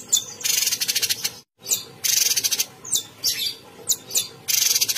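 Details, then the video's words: Cucak cungkok bulbul, a cage bird, pours out its song: rasping buzzy trills and slurred high whistles, with one brief silent gap. "Burung cucak cungkok Gacor"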